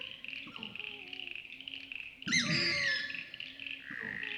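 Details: Australasian swamphen calling at night by a wetland in Wollemi National Park, NSW, Australia; a sudden loud shrieking squeal with sliding whine tones, after softer grunting notes, over a constant high-pitched insect chorus.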